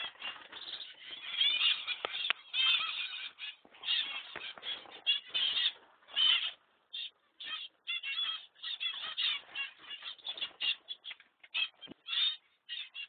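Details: Young zebra finch out of the nest box, exploring; a continuous stream of nasal, honk-like calls, bunched densely at first, then coming as shorter separate bursts with gaps between them.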